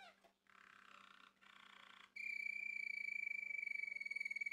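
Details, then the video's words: Male Malinois Waterslager canary, bred by a Turkish breeder and judge, singing indoors: a soft rattling buzzy phrase, then a long steady pure whistled note with fast pulsing tremolo, rich in overtones. "Malinua Kanarya Sesi Ve Ötüşü | Malinois Waterslager Canary Singing"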